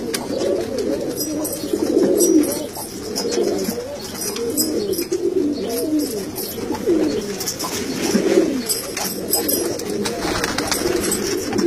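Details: Several kalsara pigeons cooing together: overlapping low, bubbling, rolling coos in continuous waves, with scratching and fluttering noises from the birds.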